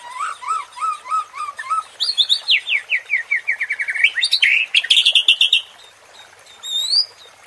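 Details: White-rumped shama provoking song: a series of short rising whistles, then a rapid descending cascade of chips, a dense buzzy trill, and a final high slurred whistle.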